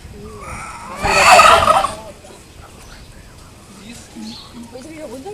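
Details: Courting turkey making a loud harsh burst of about one second, followed by soft low notes, with people talking quietly nearby.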